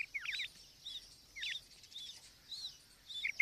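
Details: Female quail giving sharp zigzag-shaped chirps in pairs, separated by softer arched high notes and brief pauses, with faint background hiss.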